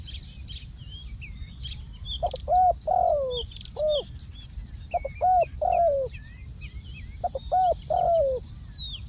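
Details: Spotted dove calling as a decoy on the ground: three phrases of hollow coos roughly every two and a half seconds, each ending in a drawn-out falling coo, amid busy high twittering of small birds.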